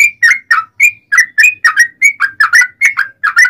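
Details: Rapid, bubbly song of a yellow-vented bulbul, used as a lure so other bulbuls answer: short rising-falling whistled notes, often in quick pairs, about fourteen in three and a half seconds.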